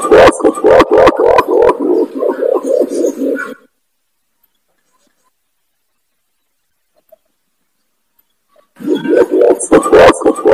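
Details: Lure call of the imperial pigeon, locally pergam or kumkum, played to draw in wild birds: loud, clear low booming coos in rapid pulses for over three seconds, a long silence, then another pulsing burst.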